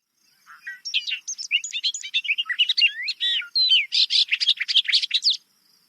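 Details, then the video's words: A bobolink, a Vermont priority bird, sings a bubbling, jangling song for about five seconds: a rapid tumble of tinkling, metallic notes that sounds like several different birds at once. "When you listen to the bobolink, you think you're hearing a few different birds there."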